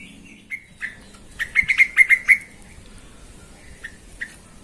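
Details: Yellow-vented bulbul lure intended to excite other bulbuls into singing: scattered clear notes, then a quick bubbling run of five or six liquid, slightly rising notes, followed by two isolated chirps.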